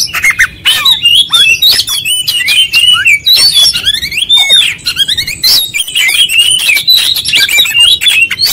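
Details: Konslet-style song of an oriental magpie-robin showing its full material: rapid overlapping whistles that swoop up and down, interspersed with harsh clicks and rasping bursts, loud and continuous.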